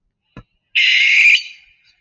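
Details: Barn owl (Tyto alba) scream, a haunting high-pitched call heard at night: a single harsh, hissing scream lasting under a second, then trailing off, after a soft thump just before it.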